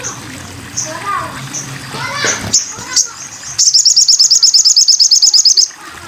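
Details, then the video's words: Sogon bird in a tutor recording for training cage birds: a person talks and water splashes at first, then a fast, high, evenly repeated trill runs for about two seconds. "masteran burung sogon"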